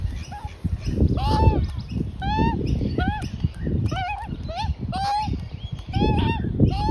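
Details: Juvenile Australian magpie with its parents in a front yard at lunchtime, giving repeated short rising-falling squeaky calls every half second to second, with a person talking nearby.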